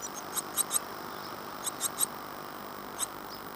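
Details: Nest box in Falmouth, UK, holding great tit chicks on day 14 after their 25 April 2011 hatching. Two quick clusters of thin, high squeaks, three notes each, then one lone squeak over a steady low hiss.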